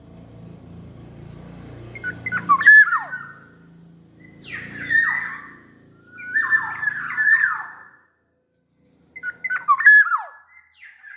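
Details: Sumbawa black-naped oriole singing eagerly: four phrases of ringing whistles with downward slurs and rough nasal touches, after a low rumbling background noise that fades early on.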